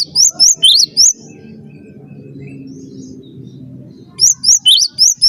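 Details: Master song of a cinereous tit used to train birds: five quick high rising whistles, a pause with low humming background, then five more bright up-slurred notes.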